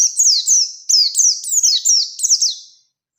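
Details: Oriental white-eye of the Bustomi kind delivering the sharp 'nembak' rolling song used to coax quiet white-eyes into singing. About six quick accented bursts of piercing, descending whistled notes play, then a fade to silence.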